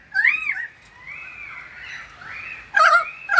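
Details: Pied currawong singing in the rain in Sydney: loud, ringing, slurred whistles that rise and fall, with a softer warbled passage between and a faint hiss of rain.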